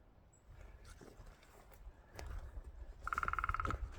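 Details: On wooded land on Cape Breton Island, Nova Scotia, where a whole family of woodpeckers lives, a woodpecker gives a quick burst of about a dozen ringing, evenly spaced notes in under a second, over wind rumble and footsteps.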